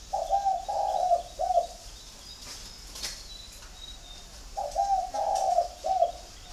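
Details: Spotted dove from a home flock at a bird garden in Ba Vì, Hanoi, Vietnam. Two low, mellow three-part coo phrases, a short note, a long rolling note and a clipped ending, separated by about three seconds of near quiet.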